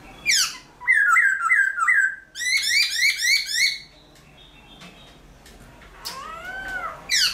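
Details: A caged black-throated laughingthrush (Garrulax chinensis), a bird of many voices, sings at dawn in forest-voice style: steep descending sweeps, a row of looping whistles, rapid chattering notes, a quiet pause, then arched whistles.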